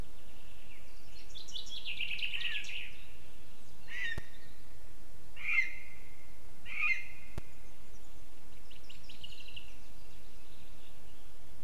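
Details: Lesser spotted eagle at a nest 17 metres up in a spruce in western Zemgale, Latvia, on 16 April 2024 around midday. A twittering trill is followed by sharp, yelping notes near four, five and a half and seven seconds, over steady hiss.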